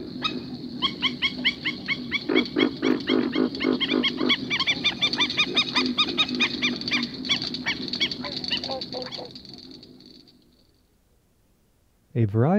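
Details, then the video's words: Black-necked stilts, startled at night in a marsh and unseen in darkness on a muddy bank, perhaps a pair, give sharp, yapping distress notes about three per second in an agitated jumble that fades; a brief rising sound at the end. "these are the distress calls of a black necked stilt perhaps a pair of them we cannot see the sound makers but we can imagine them in the darkness"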